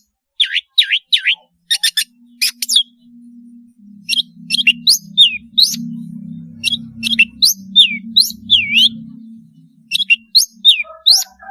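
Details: Melodious song of a long-tailed shrike, intended to help juveniles learn; bouncing looped whistles and downswept notes come in loose clusters, while a low steady hum sits in the background.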